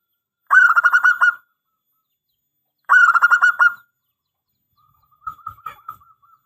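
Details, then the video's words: Local Indonesian zebra dove singing actively, a long-phrase song used as a lure and master song: two rapid phrases of about nine staccato, slightly buzzy coos, each under a second, then a softer, thinner phrase trailing off; quiet background. "Perkutut Lokal GACOR !! Suara ANGKATAN PANJANG"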